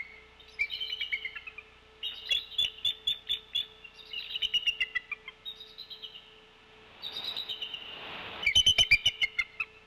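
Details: At the Decorah nest on 16 February 2024, about 16:37, a brooding female bald eagle chatters at something overhead, likely her mate answering off camera: bursts of high, thin, rapid piping notes that rise and fall, over a low hum and wind.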